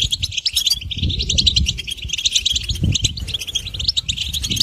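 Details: A goldfinch sings a brisk, high, tinkling warble of quick chirps and short trills without pause. Soft low rumbling and knocks sound in the background.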